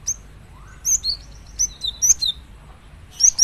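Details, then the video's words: High, clear whistled chirps from a gelatik batu (cinereous tit) alternate with slightly lower downslurred notes in an irregular, lively phrase, ending with a rapid chirp cluster; soft background hum. "Dijamin gelatik batu lain langsung gacor dengar suara ini"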